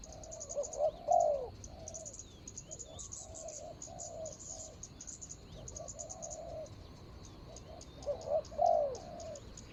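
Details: Decoy spotted dove, recorded 24/01/65 while luring a rival: two loud, rounded coo phrases near the start and end, each short notes swelling into a long falling coo, with quieter coos between and constant insect buzzing above.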